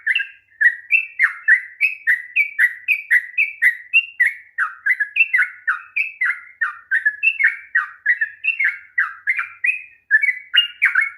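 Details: A sooty-headed bulbul's long 'ropel panjang' song, played to provoke a lazy bird into singing: more than eleven seconds of rapid, rhythmic whistled notes, roughly three per second, each dropping in pitch, with scarcely a pause.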